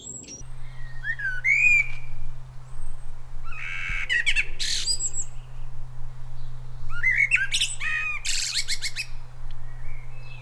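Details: A common blackbird sings from a silver birch in a back garden near the coast of North-West England in May: two phrases, each a low, mellow fluted warble ending in a high, squeaky twitter, over a steady low hum.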